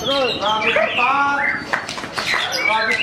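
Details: Caged white-rumped shama during its first hanging session after moult, in training: rich whistled phrases with rising and falling slurred notes, tightly packed, some harmonic-sounding, delivered without pause; faint chatter alongside.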